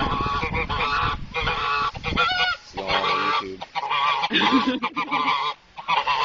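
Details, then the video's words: Several geese at Spruce Haven Zoo, Sault Ste. Marie, honk loudly and harshly in rapid, overlapping, barking blasts with brief pauses. They are agitated and advancing threateningly on the person filming. "These geese are barking mad"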